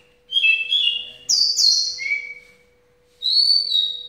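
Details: Javan bush lark kept in a cage: a level whistle, a sharp high note sliding down, a lower whistle, a pause, then one long high whistle, part of its 'ambulance' style song.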